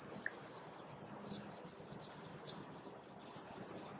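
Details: A male Calliope hummingbird singing: very high, thin, sputtering bursts come in short irregular clusters of a few notes, some sharp and metallic, over a quiet hiss.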